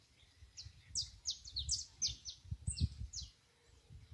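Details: Canary in nature gives a string of high, quick, downslurred chirps about three to four per second over a steady low rumble of wind or outdoor noise.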